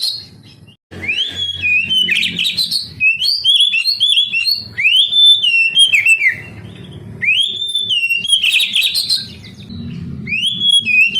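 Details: Oriental magpie-robin, locally kacer, in full song to prompt sluggish young canaries: rich whistled phrases with upward swoops and warbles, broken by short scratchy bursts and brief pauses, over a low droning hum.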